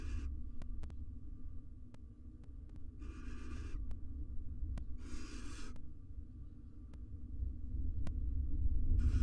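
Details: Three drawn-out, hissing screeches about two seconds apart, from a male and female wild barn owl courting near their four nestlings in an Israeli research nest box. Sharp clicks and a low rumble fill the gaps.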